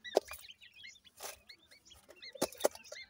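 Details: Grey francolin (dakhni teetar) chicks in Punjab, Pakistan, giving a few thin, curved peeps between loud thumps and a burst of rustling noise.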